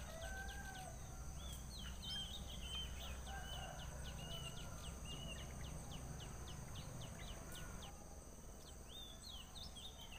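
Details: Three white-browed nestlings in a nest wait for their mother to bring food, giving a fast run of short, high chirps, many in quick succession, over a steady low hum.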